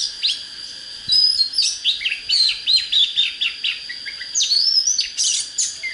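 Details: Oriental magpie-robin singing well, a recording for rousing birds to fight wild decoy birds: a rich, busy stream of whistled, slurred and chattering notes, briefly pausing midway, then resuming with rising whistles.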